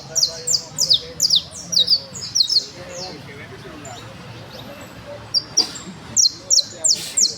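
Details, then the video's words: Trilling criollo canary song in bursts of rapid, sharp high notes, repeated several times per second, with a quiet gap of about two seconds in the middle before the fast high phrases resume; low background hum throughout. "canario 4 trinandor TrINaDor CAnaRio CriOllO"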